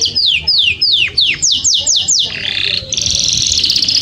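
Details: Long canary song meant to teach Belgian canaries the rapid song. Repeated falling slurred whistles come in quick succession, followed by a sustained buzzy, rolling trill.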